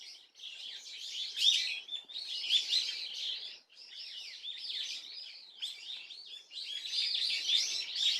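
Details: Swallow calls from 30 April 2024: bursts of rapid, high twittering chirps, each lasting one to two seconds, separated by short pauses and ending in a denser, louder run.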